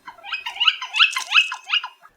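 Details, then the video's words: Northern Flicker giving its wicka call, a quick run of squeaky, rhythmic, bright and nasal wick-a notes repeated about every third of a second; the call for which the bird was probably named. "and they give a wick a wickah call for which they were probably named."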